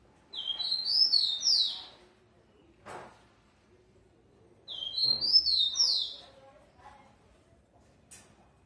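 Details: Captive-bred rufous-collared sparrow, a male from a Brazilian breeder described as very fast, sings two clear whistled phrases of sliding notes that drop in pitch, about four seconds apart, with clicks and handling knocks between.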